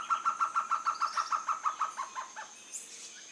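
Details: At Casa Alta Vista, a Baird's trogon gives a quick series of about fourteen hollow, mid-pitched notes, roughly six a second, slipping lower and fading at the end over a steady high insect whine.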